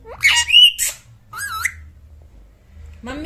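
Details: Pet talking parrot, live, being coaxed by its owner to eat because it is hungry: loud rising and wavering whistles with harsh squawky edges in two bursts, then quiet, and a person speaking Hindi around it.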